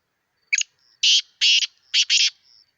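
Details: Black francolin, a prized fighting or calling bird kept by its owner, giving a short loud phrase of harsh, buzzy notes: a brief first note then four broad raspy bursts in about two seconds, with a man urging it on.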